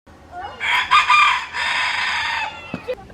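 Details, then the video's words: Rooster crowing: one long harmonic crow with a brief rise, then a sustained held note lasting about two seconds, fading at the end, with faint clucks afterward. "Diferentes Galos cantando - Galo cantando - Som do galo"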